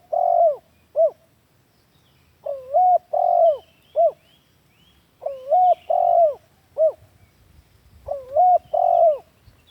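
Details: Lure call of the spotted dove, meant as a master for training doves kept at home: four phrases of soft, hollow cooing, each a quick pickup note, two sustained coos and a short final hoot, spaced about two seconds apart.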